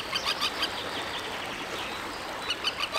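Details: Common terns recorded with a RODE VideoMicro on a Sony ZV-E10: short, harsh, harmonic calls repeated in quick bursts at the start and end. Many similar birds call together against a steady, hissy background.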